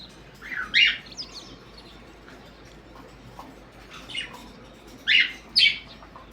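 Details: Parrots squawking in the morning, a loud rough call early, a quieter stretch, then two strong harsh screeches close together near the end.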